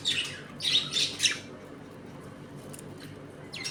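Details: Pet budgies kept as a home colony, feeding and playing; three loud grating, buzzy chatter bursts in the first one and a half seconds, then a quieter stretch with faint ticking chirps and one last squeak.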